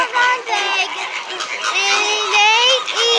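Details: A loud flamingo flock in captivity at SeaWorld: drawn-out, nasal, goose-like honks, several sliding upward at the end, overlapping in a continuous chorus.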